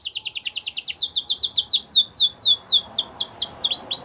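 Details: Belgian canary singing to train young canaries: a rapid chattering trill of short notes that slows into repeated downward sweeping whistles, high and bright.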